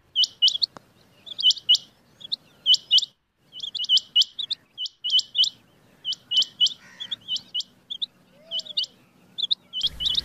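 A rain quail gives sharp, high, metallic notes in quick doubles and triples. The bursts repeat roughly every second over a faint low hum.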